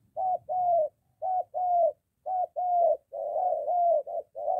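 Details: Spotted dove in Gia Lai, Vietnam, a decoy in moult being trained near home against a wild dove: strong close cooing, short-long pairs running into each other, about one per second.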